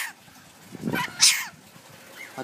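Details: A cinnamon lorikeet, male, kept in an aviary, gives a single sharp, hissy sneeze, high and breathy, just after a person's lower "achoo"; he sneezes whenever the aviary is cleaned or the owner sneezes.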